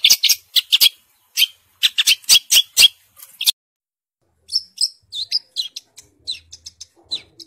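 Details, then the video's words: A long-tailed shrike in Bojonegoro, singing prolifically, gives quick high bursts: harsh scratchy clicks and chips, then after a pause thinner whistled and twittering notes, about four per second. "Cendet gacor"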